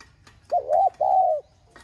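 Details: Spotted dove, 'giong son' style urging call meant to set other doves cooing: one phrase of two hollow, wavering coos, the second drawn out and slowly sliding down.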